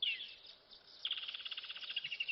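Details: Woodland Kingfisher calling loudly in the background of an African wildlife live camera; a sharp high opening note, a short pause, then a fast, even trill of about a dozen rapid descending pulses.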